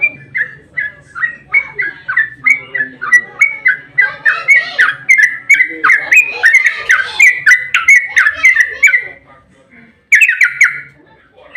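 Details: Sooty-headed bulbul, long fighting song used as a lure so other birds answer: an extended string of quick liquid whistles, about three a second, over a faint low hum, fading before a final short burst.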